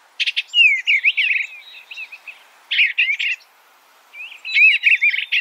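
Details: Eastern bluebird with rapid warbled phrases mixed with sharp clicking chips, three lively bursts of slurred notes, and a thin steady whistle near the end.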